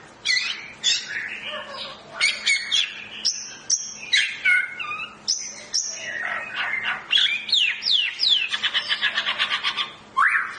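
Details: Pairing of long-tailed Medan white-rumped shamas for breeding: a dense, busy run of varied whistles, chatter and squeaks, ending in a fast rattling trill and one loud whistled note.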